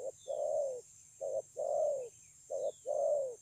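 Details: Low, mellow cooing from a wild-caught spotted dove in the 'thổ âm' song style, Kon Long, 9 June 2020. Phrases pair a short note with a longer coo sliding downward, about three times in quick succession. Faint thin bird chirps behind.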